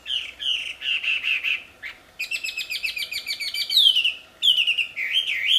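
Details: Loud, melodious wild wambi song mixing warbled whistled notes with a rapid trilled stretch and sweeping slurred whistles.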